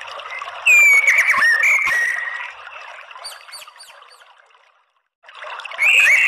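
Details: White-rumped shama lure song to draw males into fighting song: a loud whistled phrase with bending notes, fading into soft high chips, a short silence, then loud whistles return.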